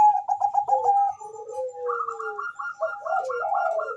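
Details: Bangkok-type zebra dove calling very fast, answered by a rival, used as a lure: quick stuttering mid-pitched coos, a long falling lower note, then fast bouncing higher notes overlapping a second dove's rolling coos.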